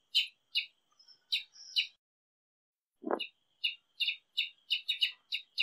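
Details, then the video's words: Tiê-sangue, the Brazilian tanager, in song: crisp short chirps spaced evenly, a brief thin buzzy note after the first few, one dull thud, then faster clipped chirps in quick succession. "O TIÊ-SANGUE CANTANDO"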